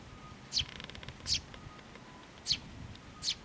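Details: Sparrows, chicks with their parents, flying in to a post for food at a Tenmangu shrine on 11 June 2024; four short, high, sharp chirps spaced irregularly about a second apart, over a faint steady hum.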